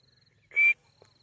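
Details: White-coloured teetar (francolin), a captive-bred breed kept at a house in Pakistan, giving one short, clear, slightly rising whistled note lasting about a quarter second, set against a faint low hum and a faint steady high-pitched ticking.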